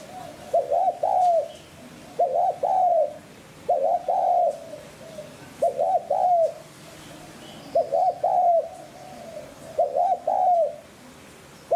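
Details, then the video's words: Spotted dove cooing in the hạp bổi style, played to stimulate other doves to coo: grouped mellow, hollow coos in short phrases of two or three notes, repeated steadily every couple of seconds with brief gaps between phrases. "Tiếng Cu Gáy GIỌNG HẠP BỔI SÁT BỔI"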